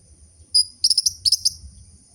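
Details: Orange-headed thrush lure sound, a chattering song meant to stir captive birds that have stopped singing: one sharp high chirp, then a quick burst of buzzy, stuttering high notes, over a faint steady high tone.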